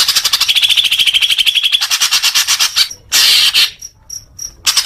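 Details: Leafbird song, used as therapy for newly kept young birds: a fast run of rapid repeated chattering notes, with a steady whistled tone partway through, then a short pause and bursts of high, buzzy notes.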